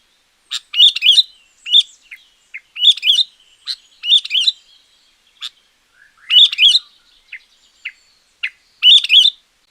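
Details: Sooty-headed bulbul in full champion song, for luring wild bulbuls or training quiet ones. Rapid bursts of liquid, chattering phrases run in quick succession, mixed with single sharp notes.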